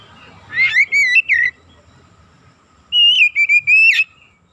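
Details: Lure recording of a gacor Oriental magpie-robin (kacer), meant to excite other birds: two separate phrases of three loud, clear whistled notes, with a pause of over a second between them.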